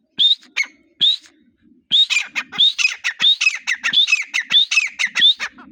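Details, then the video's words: Grey partridge calling during the breeding season, giving scratchy rising-and-falling squeaky notes, first spaced apart, then in a quicker run of repeated harsh phrases with faint low knocks beneath. "Partridge birds voice | teetar awaz"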